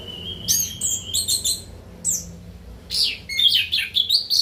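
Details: After its nighttime bath, a caged orange-headed thrush delivers a long level whistle, then crisp high chips and fluty warbled phrases rising and dipping rapidly, with a constant low hum underneath.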